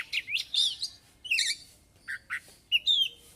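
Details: White-rumped shama singing loudly in the lively ngeplong style, full of mimicked phrases; short bursts of sharp whistles and chirps, some falling slurred notes, separated by brief pauses.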